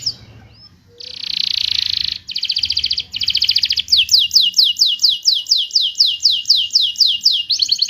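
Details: Singing canary used to coax silent canaries back into song: a loud rasping buzz, a short rattle, then a long steady series of rapid high down-slurred whistled notes.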